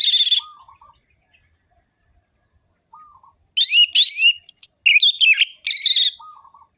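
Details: Ngerol-ngeplong song of an orange-headed thrush used to arouse other birds: an opening note, soft low rolling phrases through a pause, then loud sweeping whistles and twitters, ending on a low rolling phrase.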